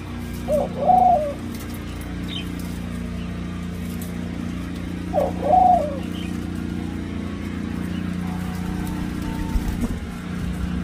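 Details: Senegal dove x ringneck dove hybrid in Thailand, perhaps second generation, cooing at the nest: two separate two-part coos about four and a half seconds apart, each a short note then a longer one, over background hum.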